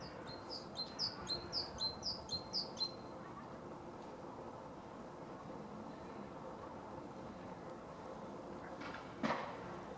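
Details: Male great tit singing in Zagreb, Croatia, winter 2015. About seven bright two-note phrases repeat rapidly in a regular series during the first three seconds, then quiet with a low hum and a short noise burst near the end.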